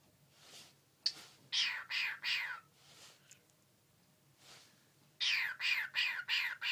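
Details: A pet cockatiel playing its favourite game, shooting when a finger is pointed at it, makes quick, breathy, downward-sweeping 'pew' sounds in rapid bursts, like toy gunfire.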